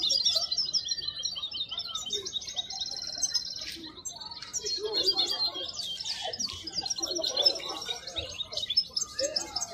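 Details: A wild European goldfinch sings at the Al-Qurai'a bird market, giving a steady stream of high, tinkling twitters and buzzy trills with hardly a break, over faint people's voices and market bustle.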